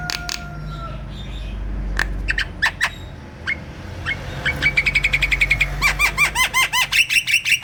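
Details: Kept black-winged myna singing "gacor" to stir lazy birds: scattered sharp clicks and thin whistles, building into a fast, even rattle, then a series of harsh, down-slurred notes over faint low hum.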